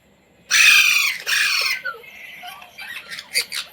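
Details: Pet Indian Ringneck parrot indoors, taught to talk: a harsh broadband scream lasting about a second, then a second shorter screech, followed by quieter chattering notes and short squeaks.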